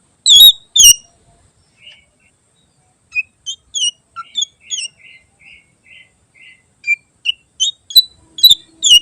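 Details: Greater green leafbird pouring out a varied tutor song for other birds: two harsh chirps, soft evenly spaced short notes, then jumbled high twittering and whistled phrases.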